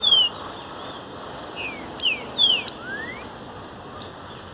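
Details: Green-winged saltator singing in nature, recorded for song training: a few clear whistled notes, some slurred downward and one rising, spaced irregularly over a faint steady background hiss.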